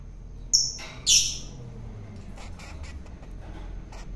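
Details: During feeding to tame it, a long-tailed shrike caught in the wild gives two quick harsh chattering squawks about half a second apart, followed by quiet clicks and background hum.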